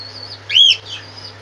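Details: A pet cockatiel parrot gives one short, clear chirp that arches up and falls back, about a quarter second long, over a steady low electrical hum with faint high chatter around it.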